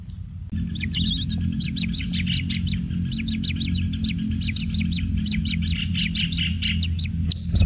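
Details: Single kingfisher chick being pampered with plenty of food: rapid series of short, high chirps repeated in quick bursts, steady over a low background rumble.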